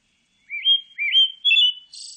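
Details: A pale thrush gives three clear, upslurred whistled notes in quick succession, followed by a thin, hissing high-pitched ending.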